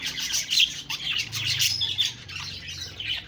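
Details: Budgerigars chirping with some harsher squawk-like notes mixed into rapid high twitters, the chatter rising and falling in short bursts, with a faint low hum underneath.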